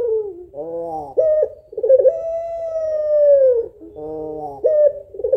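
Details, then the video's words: Female puter pelung African collared dove calling for a male: nasal buzzy notes alternate with a rough, pulsing onset leading into a long, smooth, gently falling coo, pattern repeated. "SUARA SEDIH BURUNG PUTER PELUNG BETINA MEMANGGIL JANTAN"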